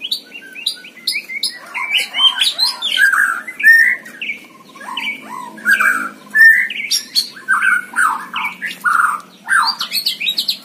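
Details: Contest-singing white-rumped shama pouring out a busy song: crisp ticking notes mixed with looping whistled slurs and harsh chatters, phrases following one another rapidly with short gaps.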